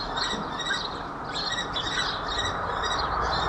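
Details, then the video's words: Common kestrels mating on 26 April 2021 at 17:24 in Babenhausen-Harpertshausen, recorded on a Dahua camera: faint, thin, whining calls with a layered tone, given in short bursts above a broad rushing background noise. "Unsere Turmfalken paaren sich / Kestrels mate"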